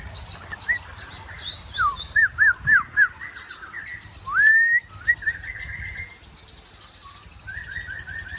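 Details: Long-tailed white-rumped shama from a special breeding line, singing in the morning at a bird breeding farm in Bogor, Indonesia. It gives a run of loud, clear whistled notes that swoop up and down, then a slurred rising phrase, over soft chatter and a faint high buzzy tone.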